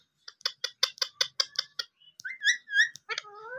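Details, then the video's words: Tame green rose-ringed parakeet, playful and talkative, giving a rapid series of short harsh syllables like mimicked speech, then a few rising and falling whistled notes and a drawn-out warbling whistle. "intelligent talking green ring neck"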